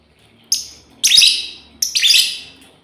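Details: Female lovebird calling companions: a short high chirp followed by two longer, loud, raspy screeches with a stuttering, grating texture, each falling away at the end.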